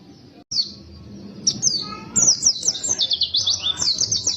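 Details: Quiet background with a few high notes at first, after which a white-eye launches into a fast, emotional burst of shrill, warbling twitters.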